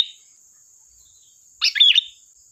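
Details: Sooty-headed bulbul singing sharply, used to lure birds: after a pause, one short rich phrase of bubbling, fluty notes, over a faint continuous high whine.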